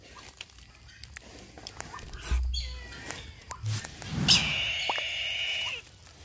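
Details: Brahminy kite calling with a long, steady, high, wheezy squeal lasting over a second. Rustling, low thumps and faint chirps from other birds come before it.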